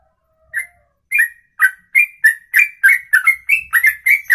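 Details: Songbird singing a ropelan, a long song delivered in one breath lasting over two minutes; after a brief faint note, sharp whistled notes with bright overtones repeat about twice a second, quickening toward the end.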